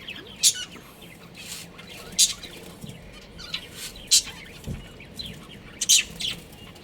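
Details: A breeding pair of budgerigars: short, sharp, high chirps about every one to two seconds, with quieter chatter between them over a faint steady background hum.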